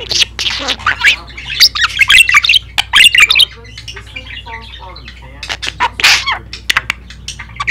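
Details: A female pet budgerigar says a few words between quick, scratchy bursts of squawks and chirps. She is not a big talker, and she also gives a small, dainty sneeze.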